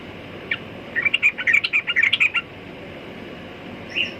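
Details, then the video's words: Sooty-headed bulbul with one lone note, then a tight run of about a dozen rapid, bubbly chirps lasting over a second, and a soft final note; quiet hiss behind. "Burung Trucukan Kicau Mania"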